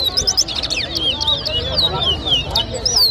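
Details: Towa towa (chestnut-bellied seed-finch) singing in a whistling competition at Lusignan, Guyana, 2023: rapid clear whistled notes and short slurred phrases, high-pitched and tumbling, over a low murmur of a crowd outdoors.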